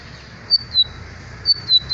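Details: Lined seedeater giving short, high whistled notes in pairs, each sliding slightly downward, over a faint steady hum.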